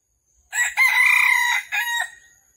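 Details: Wild red junglefowl trapping on the morning of 13 December 2021; the incoming bird fought twice before it was caught. A loud, clear crow: a brief rough first syllable, then a long strained middle note and a separate short final note, with a quiet background.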